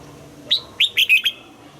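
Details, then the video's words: A single clear phrase of red-whiskered bulbul morning song, in the double-note mature wild style for voice training: five loud whistled notes, the middle ones rich and warbled, the last dipping downward. "Luyện giọng cho chào mào hót sáng, ép chào mào hót âm kép già rừng hay tuyệt!"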